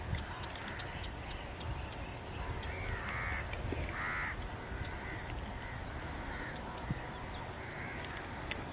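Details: Bay-backed shrike (Lanius vittatus) recorded in Goa in 2014, giving a short burst of a few harsh, nasal, grating calls over steady low rumbling and faint high ticking.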